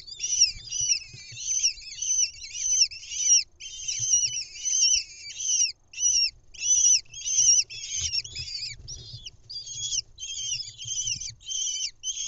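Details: Lesser kestrels at a nest camera in Israel, 10 May 2021, the mother bringing a mouse to the nest for her chicks, five chicks hatched late April: rapid high, thin, chattering calls repeated continuously, with faint low rumbling underneath.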